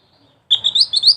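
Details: Sharp, high chirping from a mantenan, several fast upslurred notes in quick succession, preceded by a faint soft call.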